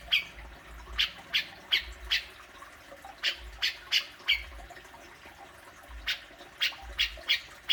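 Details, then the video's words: Besetan-style song of a grey-cheeked bulbul, played to spur a pet bird to sing: quick clipped chirps in loose runs, about two or three per second with short pauses, against a low droning hum. "Burung cucak jenggot,besetanya luar biasa"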